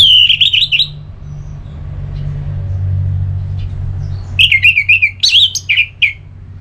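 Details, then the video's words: Orange-headed thrush (anis merah) song, ngeplong style, used to provoke another bird to answer: a warbled phrase, a long pause over low hum, then a second phrase of quick whistles and chips. "ANIS MERAH LOYO Bakal SONTAK NYAUT GACOR dan EMOSI dengar Kicauan Ngeplong ini"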